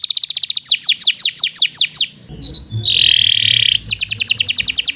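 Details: Canary in long continuous song, used as a tutoring recording: fast series of downward-sweeping whistled notes, then a brief harsh buzzy burst and a steady trill, ending with another rapid rolling trill.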